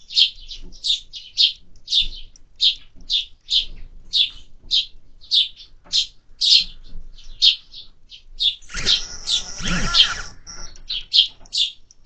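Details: Sparrows feeding at a feeder during summer keep up rapid, repetitive high chirping, about fifty notes a minute, with a short harsh scraping burst midway.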